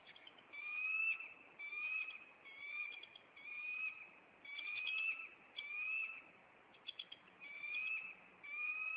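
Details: Bald eagle pair at a nest in Maine on April 26, chasing an intruder; high, rising whistled calls with a lower echoing overtone, repeated roughly every second, with occasional quick chips between them.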